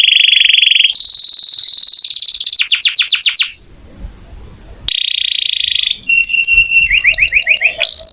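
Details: Canary singing vigorously, used as a master recording to teach Oriental magpie-robins to sing: loud sustained whistled notes and buzzy tones, then rapid repeated sweeping trills, a brief near-silent pause, and a second burst of steady tones and fast chattering trills.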